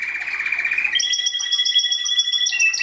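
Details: Canary song, opening with a rapid buzzy trill, then shifting to a sustained, finely pulsed whistled trill holding several steady high pitches at once.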